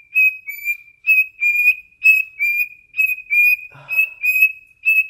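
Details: Singing pet cockatiel, indoors, fixated on its owner's foot, gives a rhythmic run of pure whistled notes, paired phrases repeating roughly once a second, with a faint rustle midway.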